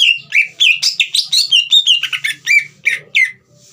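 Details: Green leafbird pouring out a rapid, varied song to stir a young bird: a dense chatter of sweet whistles and buzzy downslurs, about fourteen notes in quick succession, with a faint low hum.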